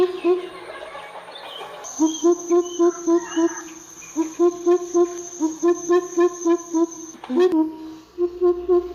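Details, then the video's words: Deep booming hoots of a Greater coucal in several fast bursts separated by brief gaps, over a constant high-pitched insect-like drone and a sudden click near the end. "Greater coucal ka Sound"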